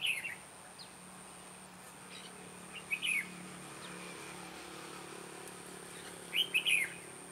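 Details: Red-whiskered bulbul at a trapping site, in a sharp, lively voice style called giọng đanh lăng xăng: three short, bright warbled phrases spaced about three seconds apart, with faint background hum.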